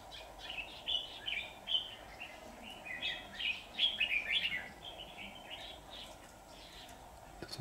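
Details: On 23 September 2019 a trapping decoy red-whiskered bulbul sings to provoke wild rivals: a stream of quick warbled notes, building to a dense, louder run in the middle before trailing off, over steady low noise.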